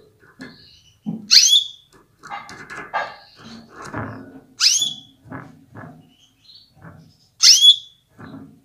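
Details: Canary hen calling to prompt males to sing powerfully: three sharp chirps dropping in pitch and ending on a short pure note, about three seconds apart, with clattering and thuds between them.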